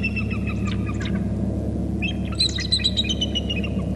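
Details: Two bald eagles fly into their nest on Hornby Island, calling excitedly: high staccato chittering in two spells over a constant low rumbling background.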